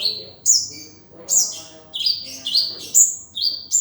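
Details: Sunbird song, konin dacok style with rich filler, played to train kept birds: loud piercing high notes, each dropping in pitch, repeated about every half second with short gaps.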